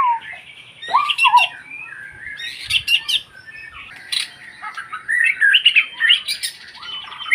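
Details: White-rumped shama delivering a rapid, varied jumble of high chirps, squeaky twitters and short whistles, with brief quieter gaps, recorded close in a small space.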